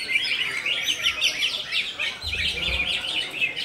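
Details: Greater green leafbird singing in the konslet style, a fast, unbroken stream of high chattering twitters and squeaky phrases that runs continuously with no pauses.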